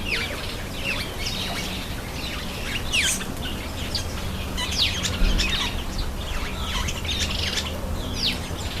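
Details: Bathing Cape sparrow: a busy stream of short, bright chirps and falling twitters throughout, over constant broadband noise and a low mechanical hum.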